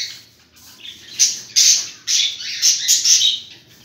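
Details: Thirteen budgerigars kept together give a busy burst of shrill, scratchy chirps and squawks. The calls overlap in rapid, irregular volleys that grow louder after the first second, with no other clear sounds.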